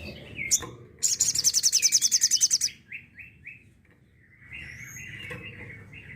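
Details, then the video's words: Sooty-headed bulbul singing in the tembakan style, recorded as a master track for training songbirds: a sharp note, then a loud, fast high rattling burst of about fifteen pulses, followed by short falling whistled slurs and softer warbling. "Suara Tembakan Sogok Ontong"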